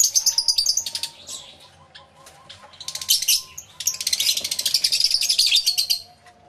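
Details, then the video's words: In a busy lovebird aviary, rapid squeaky chirps rise and fall in clusters, with faint repeated whistled notes in the background. "Lovebird Sounds Aviary Series V1"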